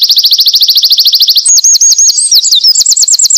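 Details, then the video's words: Energetic winter wren song for training small birds: a fast even high trill of rapid repeated notes, then a jumble of sharp twisting whistles and another quick rolling trill. "burung winter wren gacor"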